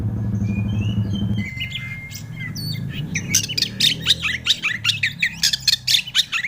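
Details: Oriental magpie-robin (kacer) song as a lure to set an untrained kacer singing: a long drawn whistle, then a rapid, busy run of sharp chattering and ticking notes over low background rumble.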